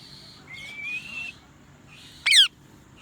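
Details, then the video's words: Loud parrot chirping: a long, steady, high whistle gently rising, a pause, then a short, sharp, harsh chirp sweeping downward, over a quiet background. "Parrot Loud Chirping Sounds"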